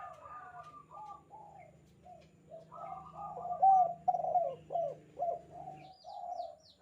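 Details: Spotted dove calling eagerly in the 'kuk 2' style, for use as a master recording for doves: soft coos build into a loud run of short slurred notes about twice a second, over a low droning hum, with high chirps near the end.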